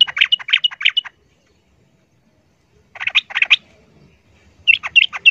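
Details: Sooty-headed bulbul in a noisy fight-style exchange with a wild bird: three bursts of harsh, rapid chirps, separated by silent gaps of about two seconds.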